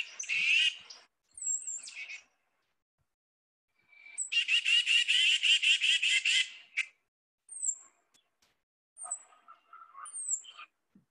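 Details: Tufted Titmouse, a South Carolina winter bird, giving thin, high squeaks and a long, harsh, wheezy run of rapid buzzy notes, followed by more short squeaks and scratchy chatter; its buzziness can be confused with chickadee and wren calls.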